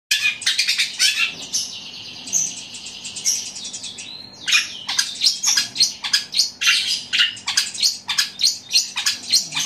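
Eurasian tree sparrows squabbling: fast, dense bursts of harsh high chirps and chattering, about two a second, with several birds calling over each other.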